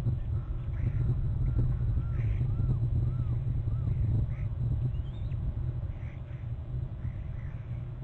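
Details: Pair of bald eagles trilling together at their Hornby Island nest on November 13, the male flying in as the female returns. A quick run of about eight evenly spaced, arched notes, then fainter calls, over a constant low drone.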